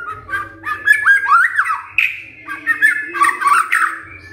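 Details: White-rumped shama, a previously silent bird startled into loud, lively song by a lure recording; rapid whistled phrases sliding up and down with short squawky notes, a low hum beneath.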